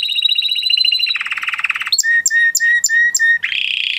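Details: Singing male canary: a fast bright trill dropping into a lower rattling roll, then a run of long steady whistles broken by clicks, then a buzzy phrase.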